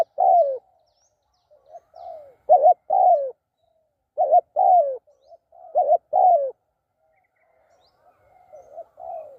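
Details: Spotted dove kept for decoy trapping, giving low mellow coo phrases, each a stuttered note leading into a falling coo, mixed with quieter softer coos at the start and end.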